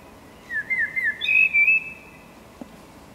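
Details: Eurasian blackbird singing, filmed handheld; a short fluty phrase of several clear whistled notes around two to three kilohertz within about a second and a half, followed by a brief higher twittering flourish, over a low steady background rumble.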